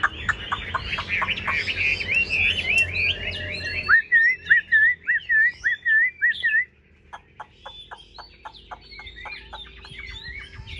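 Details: Caged Chinese hwamei: busy warbled whistling gives way to a run of eight strong, evenly spaced downslurred whistles, then a quieter stretch of rapid ticking clicks.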